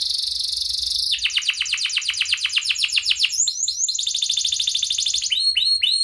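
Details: Canary song used as a lure to start other canaries singing: a high thin note, then fast evenly repeated trills of downswept notes, shifting to higher rolling trills near the end.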